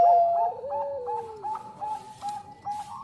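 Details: Bangkok-type zebra dove singing vigorously, used as a lure recording: one loud clear coo opens, then softer overlapping cooing notes repeat at short intervals with a gently falling trill beneath.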